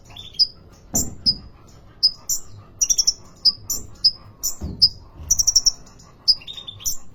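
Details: Energetic song of a market-caged sunbird in Depok: high piercing chirps and downslurred whistles in quick succession, some in fast runs of four or five, with occasional low thuds of cage movement.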